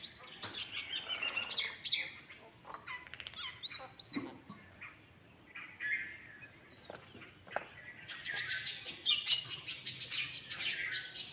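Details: A common myna gives a varied run of chattering, squawky and whistled notes, with rasping bursts, harsh churrs and a flutter of wings.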